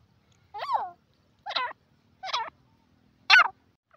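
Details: Calling grey francolin, the Indian teetar: four loud harsh ringing phrases spaced about one second apart, each a quick cluster of strident notes, against a quiet clean background.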